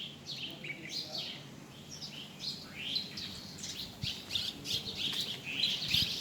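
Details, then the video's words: Wild birds calling outdoors, a busy run of high chirps and short rising and falling whistles, many notes overlapping in quick succession with low background rumble. "Amazing Bird sounds"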